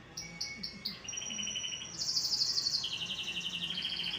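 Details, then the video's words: Excitable canary growing noisy, singing short clipped high notes that lead into fast rattling trills. The trills step between pitch levels and end in a long bright buzzy roll. "LATAH AJA NI KENARI,MULAI GADUH..!!"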